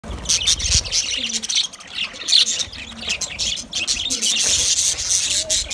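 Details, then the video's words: Budgerigars talking to each other: a dense, continuous stream of high, bright chirps and twittering warbles. The calls overlap without pause, and brief soft low thumps sit beneath them. "Budgies birds speak to each other Beautiful Budgies talking sounds"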